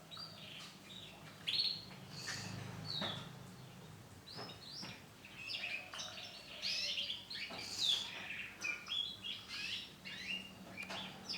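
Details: Male canary of the Bon orange-black colour form: scattered high chirps and short twittering phrases, sparse at first and busier later, over a low hum of background noise.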